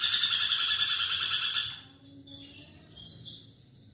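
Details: Lorikeet giving vigorous chattering song as a training track for magpie-robins. A rasping, buzzy run pulses about three times per second for under two seconds, then gives way to faint, thin twittering.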